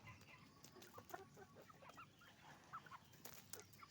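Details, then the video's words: Roosters and hens on a chicken farm: sparse, soft clucks and occasional brief squeaks scattered across a constant low hum, no single bird dominating. "Moment of the sound of a chicken farm, roosters and hens making noise"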